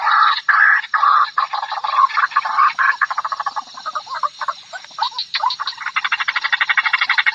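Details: White-breasted waterhen lure recording with a harsh, chaotic passage: rough drawn-out croaks give way to fast stuttering runs of clicking grunts, uneven in rhythm and rising and falling in loudness, over background hiss.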